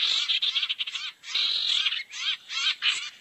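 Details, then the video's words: Lure recording of a barn owl to bring owls together: rough, breathy screeches, one long drawn-out burst followed by shorter harsh bursts. "SUARA PIKAT BURUNG SIRTU NGUMPUL"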